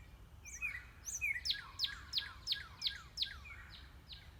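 A Northern Cardinal gives a quick run of about eight clear, steeply down-slurred whistles, roughly three per second, over a low background rumble.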